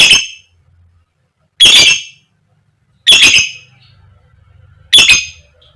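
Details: A female fighter lovebird calls koek koek to draw other lovebirds into song: four loud, raspy shrieks at irregular gaps of one to one and a half seconds over a quiet low hum.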